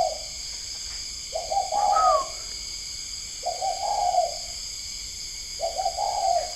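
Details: Caged spotted doves kept at a farm in Ba Vì district, Hanoi, Vietnam, recorded around 10 pm at night: mellow cooing phrases repeated roughly every two seconds, each a level, slightly wavering note, over a constant high-pitched hum.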